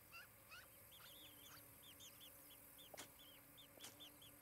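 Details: At a nest in Charlo, Montana, on a July 2018 morning, an osprey gives a string of short arched whistled chirps. A couple of other notes come first, and two sharp knocks sound midway.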